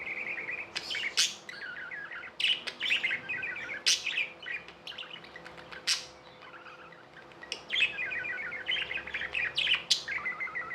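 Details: Tamed pet budgerigars chattering: rapid warbled chirp runs broken by sharp high clicks and squeaky notes, bursts coming every second or two, with a low steady hum in the background.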